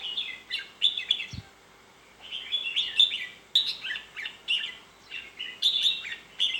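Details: Red-whiskered bulbul song: repeated bubbly phrases of quick, slurred high notes, arriving in bursts every second or two with brief quiet gaps, one dull knock partway through.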